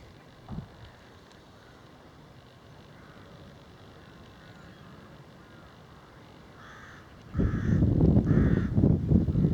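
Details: Crows in North East Hertfordshire farmland near Sandon, on a cold December day, caw harshly in a rapid burst amid heavy wind rumble, apparently battling many kites gathered at a likely feeding point; crow.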